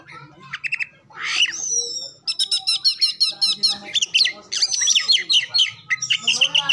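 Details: Oriental magpie-robin lure song, said to carry imitations of other birds, used to prompt other birds to sing. Short trills and a raspy slur give way to a long steady series of ringing notes, then busy twittering phrases.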